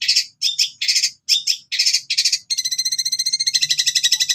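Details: Long-tailed shrike singing gacor in full 'tembakan gereja' style with cililin-type fill: five chopped high buzzy bursts, then a fast steady trill of rapid repeated notes with layered whistled tones.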